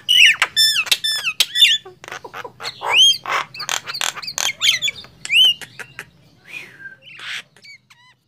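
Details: Two mynas, a Nias hill myna and a black-winged myna, compete in loud singing: harsh squawks, clicks and bright slurred whistles at first, thinning to scattered whistles and buzzy notes toward the end.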